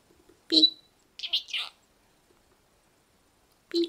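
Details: Pet budgerigar indoors chattering its learned words, including its favourite camera-shutter imitation; short high, buzzy bursts of mimicked speech, a quick rising note then a cluster of scratchy syllables, pause, another burst, in a quiet room.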